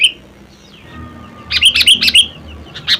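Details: Sooty-headed bulbul giving its natural voice: a faint whistled note, then a bubbly burst of four or five quick, fluty warbled notes, with another short phrase just starting at the end; quiet background.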